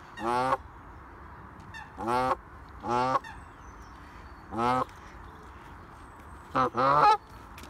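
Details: Canada goose, a vocal male among geese preparing for the breeding season, recorded 6 February 2021, giving loud nasal honks in five separate bursts over about seven seconds, the last a quick double, with quiet gaps between.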